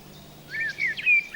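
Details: Common blackbird in a dripping-wet summer forest in the Vosges Mountains, France, giving its melodic territorial call, a brief mellow warbled phrase of fluty slurred notes with a higher twittering edge over faint hum.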